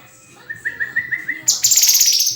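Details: Murai (white-rumped shama) starting with a row of short clear whistled notes, then switching abruptly to a loud, high buzzy rattle.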